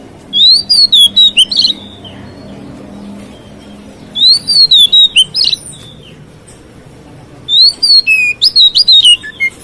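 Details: Oriental magpie-robin singing to rouse rival magpie-robins: three short bursts of high whistled and twittering notes, each burst about a second long, separated by pauses of roughly three seconds.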